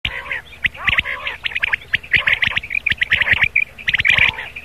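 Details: Rain quail calls for a morning hunting lure: dense, overlapping harsh chirps high in pitch, several birds calling over one another in quick bursts, with sharp clicks throughout.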